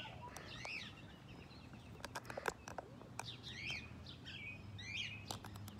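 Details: Captive rainbow lorikeet at Fort Wayne Children's Zoo, filmed up close, gives a run of sharp, high rising-and-falling chirps mixed with scattered clicks and taps against a low background hum.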